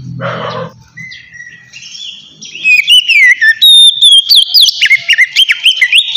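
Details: White-rumped shama giving a relaxed ngeplong song, used to lure untamed shamas: after a low buzzy burst and a lull, loud clear whistled notes rise and fall in quick varied phrases, several per second.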